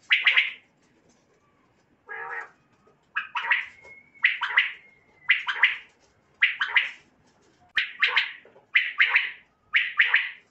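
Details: Common quail calling, in a mix played to lure quail at night. Quick grating two- and three-note phrases repeat steadily, with one softer, lower burst early on and a faint thin whistle in between.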